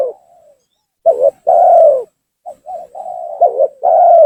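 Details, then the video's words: A spotted dove's lure call, used by trappers to bring rivals down and provoke them: a fading soft coo, then a stuttered pair and a long throaty coo, followed by small hiccup notes and another long coo. "suara pancingan gacor tekukur memaksa menurunkan lawan,bikin emosi lawan."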